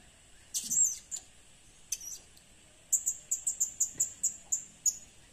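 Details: Lure recording of a blue-crowned hanging parrot (serindit): a few sharp, very high squeaks, then a rapid even series of about ten thin shrill chirps, each clipped and piercing, against faint hiss.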